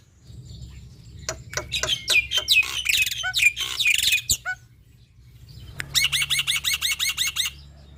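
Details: Male black-winged myna singing loudly, a recording meant to coax quiet mynas to sing. Sharp clicks and buzzy, scratchy notes, a brief pause, then a fast stuttering series of high rising-and-falling notes.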